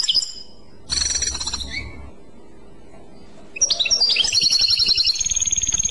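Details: Clochette-style song of a European goldfinch, short bright chattering phrases, a quiet gap of over a second, then a sustained run of rapid liquid twitters and high buzzy trills.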